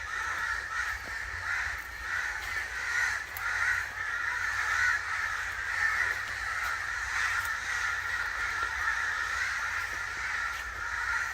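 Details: Many crows cawing angrily at once, producing a thick, unbroken mass of harsh calls that pulses slightly louder and softer.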